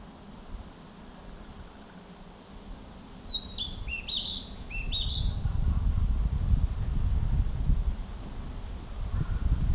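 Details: A Narcissus flycatcher sings in a forest in spring, one quick phrase of four or five clear, high whistled notes stepping down then up, over a steady low rumble of wind.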